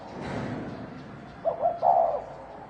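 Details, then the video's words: Single low, stuttering coo phrase from a fighting spotted dove of thổ đồng type, rising out of a hissy background with a muffled low rumble just before. "Tiếng chim cu gáy thổ đồng kích trống kích bổi đánh nhau"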